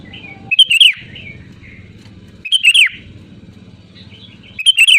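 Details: Sooty-headed bulbul giving loud rival-challenging calls: three fluty, bubbling phrases, each dropping at the end, repeated roughly every two seconds over a low background hum.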